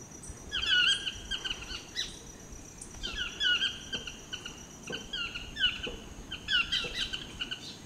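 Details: A chestnut-mandibled toucan display calling in Costa Rica, giving loud, yelping two- to three-note phrases about every second and a half, over a steady high insect whine.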